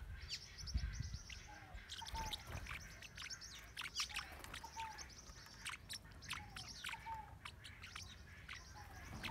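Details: High, sharp twittering chirps from blue-winged parrotlets recorded in northern Bahia, Brazil, coming in scattered quick clusters, while a separate soft whistled note recurs every second or two in the background.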